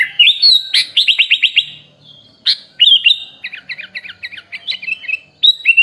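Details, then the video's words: Kutilang (sooty-headed bulbul) song used as a training recording for songbirds: loud, bright whistled phrases with rapid runs of repeated downslurred notes, pauses between bursts, no other sounds. "MASTERAN BURUNG KUTILANG FULL ISIAN MEWAH||SUARA BURUNG KUTILANG"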